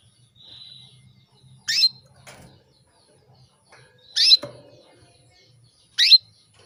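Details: Female canary calling a male, meant to trigger breeding readiness; three short chirped notes about two seconds apart with a faint low hum and a dull knock.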